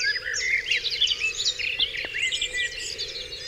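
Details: Birds in full dawn chorus on Dewlands Common, a brief burst of intertwined warbles, upslurred whistles and high chirps, one louder rising note standing out, over a faint hum.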